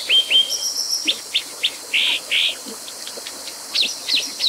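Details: Brown dipper (Cinclus pallasii) giving high, sharp chips in quick series, a thin whistle and two short buzzy bursts, then a fast cluster of rising chirps at the end, over constant hiss.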